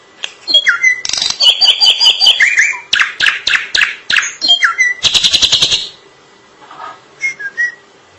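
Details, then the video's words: Drongo in long, lively song: varied whistled notes and sliding tones mixed with rapid harsh chattering bursts and clicks, a busy run of about five seconds followed by quieter scattered whistles. "Suara asli burung Srigunting gacor panjang"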